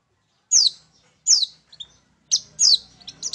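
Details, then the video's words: Long-tailed shrike song played as a lure for birds: loud, sharp, downward-sweeping scratchy notes repeated at intervals, with a brief twittering flourish at the end and a faint low hum. "PANCINGAN TERBAIK!!! CENDET MAIN SATU TITIK"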